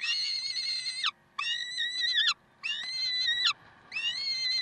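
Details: Karlsruhe peregrine falcons, 30 May 2010 at 7:27, uttering four long, shrill, nasal wails in steady succession, each about a second and falling at the end, with brief pauses between.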